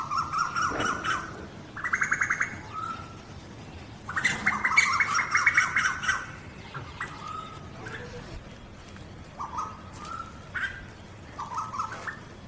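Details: Asian koels, a male and a female, giving mating calls in India; two fast chattering bursts of sharp clipped notes, then scattered short rising whistled notes, over a steady low background hiss.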